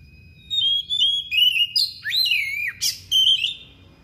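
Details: Thick-billed kacer (magpie-robin) in a piercing, persistent song made of copied phrases: a steady whistled opening, then sweeping up-and-down slurs, a brief harsh burst and a final clear whistle.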